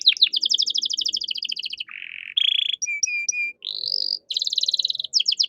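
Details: Caged canary singing a training song with ornate phrasing for young songbirds: fast rattling trills, a buzzy low tour, repeated clear whistled notes and a rising whistle, then another rapid trill, with faint background noise.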